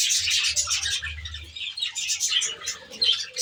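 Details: Several budgerigars in an aviary twittering in a continuous high warble, while a low cooing drone runs through the first half.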